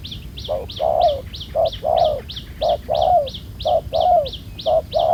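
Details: Spotted dove, a newly trapped wild bird with a black-spotted collar, noted as a good cooer; short and long mellow coos alternating about once a second, accompanied by a rhythmic high chirp from another bird.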